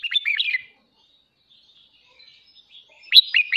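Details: Red-whiskered bulbul singing brightly, kept as a cage bird for voice training: two bright, chirpy bursts of quick warbled notes, separated by about two and a half seconds of near silence.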